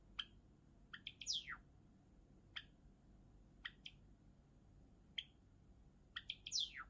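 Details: Java sparrow singing, kept as a pet bird: scattered short clicking chips at intervals, with two brief bursts of bell-like notes ending in a high descending whistled slur, over a quiet indoor background.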